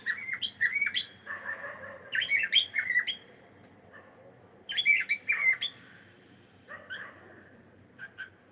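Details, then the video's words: A singing cockatiel gives runs of rapid squawks and bright whistled chirps, dense at first, then in shorter bursts with quiet gaps between them. "Cute Cockatiel singing and sound"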